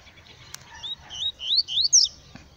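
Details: A Yellow-bellied Seedeater in the bush sings a quick run of high, rising whistled slurs that climb toward the end, with a couple of faint clicks in the background.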